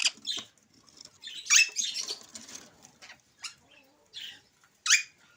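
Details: Talking Alexandrine parakeet, said to speak Urdu and English. Short harsh, raspy bursts and squawks come in irregular spurts, with a few brief sharp notes near the end and quiet gaps between them.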